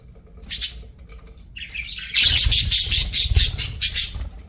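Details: Pet budgies: a few soft chirps, then a scratchy rising warble leading into a loud, continuous stretch of fast, shrill chattering chirps.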